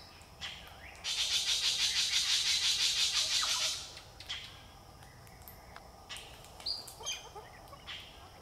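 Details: Galahs in a group on a parking lot, Berry Springs Nature Park, NT, Australia, December 2023: a loud, rapidly pulsed harsh screech sustained for nearly three seconds, followed by sparse short rasping chets and squawks from the flock.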